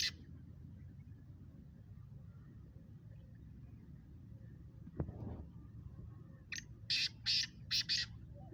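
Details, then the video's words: Black francolin in a calling contest between kala teetar birds: after a long quiet stretch and a single knock, a late phrase of about five harsh, scratchy notes. "Speeder Kala Teetar Kaly Teetaron ka Muqabla Kala Teetar ki Awaz"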